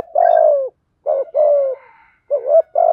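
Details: Male and female spotted doves cooing for training and luring birds. Loud, hoarse, low coos come in quick succession: a long falling coo, a short pair with a drawn-out note, then a wavering double coo, with faint higher chirping underneath.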